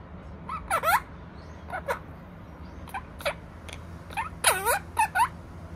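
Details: Pet opaline monk parakeet chattering in bursts of harsh, harmonic notes, several sharply downswept. A loud cluster comes early, scattered single squawks follow through the middle, and a dense run of squawks closes it. Faint background hum throughout.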